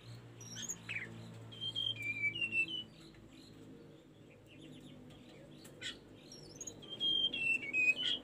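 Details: Tledekan gunung singing, recorded to train caged birds: high whistled notes stepping down in short phrases, with rapid chirps and a quieter pause midway before the whistles return, over a low hum.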